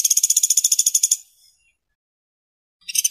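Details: Woodpecker calls compiled as tutor recordings for training songbirds: a dry, high, rapid rattle of about eighteen even pulses lasting just over a second, then silence before another rattle begins. No other sounds.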